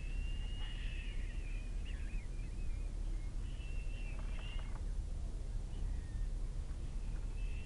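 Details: Little owl young, two downy fledglings recently out of the nest, begging as they receive an evening meal, Kalmthout, 11 June 2022; several harsh, wavering screeches come in uneven bursts against a steady low hum.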